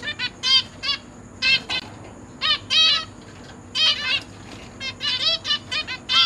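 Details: Captive zebra finches, parents with three juveniles and three newly hatched chicks being fed in a cage, 29 September 2023: short nasal harmonic calls in irregular bursts with gaps between, over a faint steady high whine.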